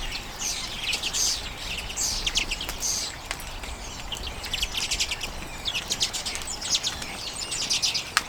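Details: Feeding flock of common redpolls on sunflower seed in late January 2022, filmed with a Canon EOS M50. Continuous bright, trilled chattering rises and falls in waves, with a few sharp clicks of seed handling.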